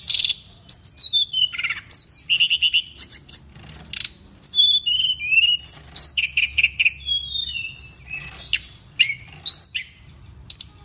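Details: Extended pygmy cupwing performance from Indonesia, a nonstop medley of high twitters, slurred whistles, rattling trills and sharp clicks, rapid and varied throughout, above a faint low hum.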